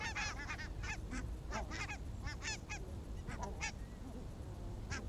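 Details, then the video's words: Barnacle geese on an evening walk in Arabia on 1 October 2014: a flock gives rapid, overlapping yapping honks in quick bursts, many birds calling at once over a steady low rumble of background noise. "Valkoposkihanhien iltakävely Arabiassa"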